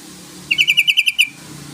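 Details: Yellow-vented bulbul call aimed at prompting a rival to sing, made of eight quick, bright, evenly paced notes delivered in under a second over a quiet background.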